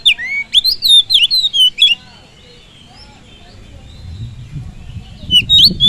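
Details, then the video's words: Oriental magpie-robin lure song meant to provoke other birds: a rapid string of sweet whistles and sharp slurred notes for two seconds. Then a quiet gap with low rumbling noise, and a short whistled phrase returns at the end. "Pancingan kacer full durasi || SEKALI PANCING BURUNG ANDA LANGSUNG PANAS"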